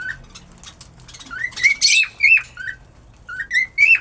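A cockatiel sings a string of bright whistled notes, some rising, some sliding, with a few harsher chirps.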